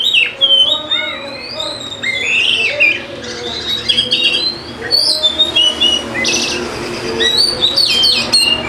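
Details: Oriental magpie-robin, a fighter bird, singing a lure meant to prompt reluctant birds to sing: long varied stream of whistled slurs, rising sweeps and harsh chattery bursts, loud and continuous throughout.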